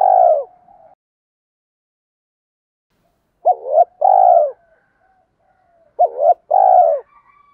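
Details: Spotted dove coos, female and male voices in the native style, played to rouse decoy birds: one phrase tails off, then two low two-note phrases come about two and a half seconds apart in quiet surroundings.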